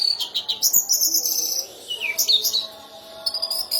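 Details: Orange-headed thrush, a national champion bird with a special borrowed repertoire, pouring out dense, very high chattering chirps, a short downslurred whistle, then more rapid twittering notes.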